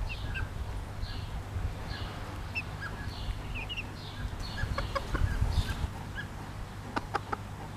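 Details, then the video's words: Chicks of a Pekin bantam mother hen, bobtail colour, cheep repeatedly in soft high whistled notes, followed by a flurry of the hen's short clucks near the end. "Zwerg-Cochin: Glucke mit Küken"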